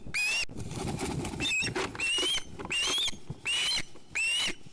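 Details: Hungry young female osprey at a Finnish nest, begging loudly after her father brought only a dinner fish. She gives loud, piercing squeals, each rising and then levelling off, repeated about once a second, with scraping and rustling noises between them.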